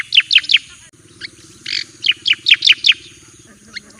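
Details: Javan white-eye singing a master song for training. Bright, slurred chirps come in two bursts, three quick notes, then a buzzy note and six more rapid chirps, with a soft low hum underneath.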